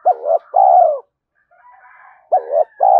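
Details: Decoy recording of a spotted dove giving rapid urging coos to attract wild doves; two low hooting two-part phrases, each a wavering note followed by a sustained falling coo, separated by a quiet gap with faint distant cooing.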